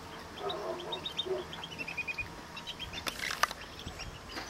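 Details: Female Yorkshire canaries fighting over a nest, caged: quick runs of short high chirps and sharp tweets, a few louder clipped notes near the end, with faint low hum and rustling in the background.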